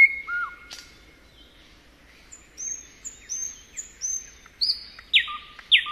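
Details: A nightingale sings high, pure whistles and quick repeated notes in a varied, halting phrase; nightingales sing by day and night in spring after returning from migration.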